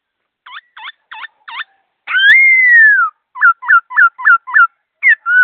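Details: Laughingthrush singing fast and clear: four looping notes, a long loud descending whistle, then a quick series of five short hooked whistles and a closing slurred note.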